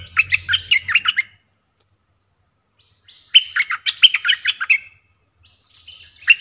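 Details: Lure recording of a Streak-eared bulbul with a fierce voice, used to draw in aggressive wild birds: two dense bursts of rapid, chirpy, warbling notes separated by nearly two seconds of silence, then a faint start of another phrase.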